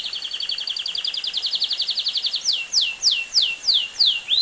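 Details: Belgian canary singing: a fast, even trill of high repeated notes for over two seconds, then a series of loud, sweeping downslurred whistles about every third of a second, ending on an upward slur; quiet background.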